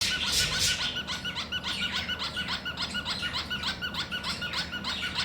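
A cockatiel gives quick, squeaky chirps, repeated about three times a second in a steady run.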